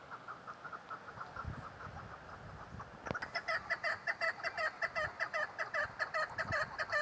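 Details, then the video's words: Female chukar partridge calling: faint, quick clucking notes at first, then after a sharp click a louder run of evenly spaced chuk-like notes, about two to three each second. "Female chakor sound keklik sesi"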